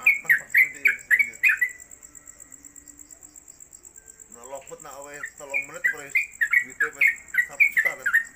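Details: Yellow-vented Bulbul (trucuk) kept in a cage at home and on a hanging pole as a tutor bird, with long-lasting 'konslet kemedol' singing. A quick burst of sharp downslurred whistles opens, then comes talking, then the repeated notes return over the voices.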